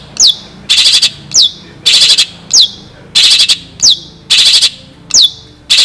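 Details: Loud, close long-tailed shrike in active song rich in imitations, kept as tutor material for shrikes: sharp downward-sweeping whistles alternating regularly with harsh grating buzzy bursts, around twelve phrases in quick succession.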